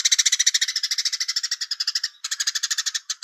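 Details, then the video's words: Pelatuk beras, the velvet-fronted nuthatch, delivering its Cigun Gereja song with pauses and far-reaching voice: a quick run of sharp rattling notes, a brief gap, then the rattle resumes and slows slightly near the end. Clean background. "Pelatuk beras Cigun Gereja Jeda Suara Jauh"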